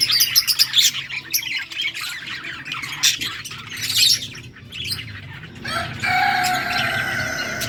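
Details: Yellow budgerigars chattering: harsh squawks and scratchy high warbles in quick bursts, then a steadier noisy chatter with tonal streaks in the last seconds.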